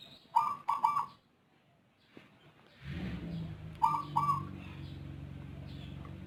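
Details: Zebra dove, Rondosemoyo type with a strange voice, often calling before dawn, utters paired coos twice, while a steady low hum starts midway and continues underneath.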